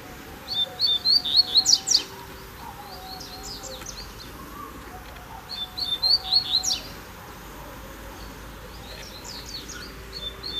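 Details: A Double-collared seedeater carried on an outing without its cage sings a fast, high chattering phrase of buzzy notes. A second phrase follows about four seconds later, then a softer fragment near the end.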